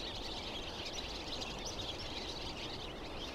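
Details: Dozens of barn swallows gathered in a tree at Greifensee, Switzerland, after wheeling overhead in a wild flock; incessant high chirping and twittering chatter from many birds blends into a continuous wash, with low background noise.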